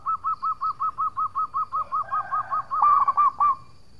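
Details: Local zebra dove in lively song, used as a lure to make rival doves reply at once: a steady string of about five clipped, mellow coos per second, ending in a louder, rougher flourish.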